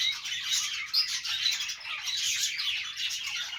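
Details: Pet budgies at play, producing a dense, continuous stream of high-pitched chirps, twitters and squeaky warbles that overlap without pause.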